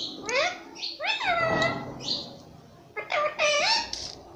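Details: A pet ringneck parrot talking nonstop, saying "mummy papa": a run of raspy, speech-like words with rising and falling tones, two phrases separated by a short pause, indoors.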